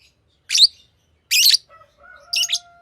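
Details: Green lovebird letting out three piercing, buzzy chirps almost a second apart, followed by a faint steady whistled tone at the end.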